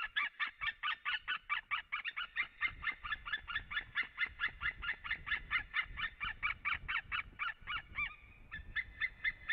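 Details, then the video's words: White-tailed eagles at a Latvian forest nest on 18 March 2017 around 11:27, arriving at the nest: a long, fast run of sharp yelping notes, several each second, breaking off near the end into a few drawn-out calls. "Eagles sing in the forest Come to the nest"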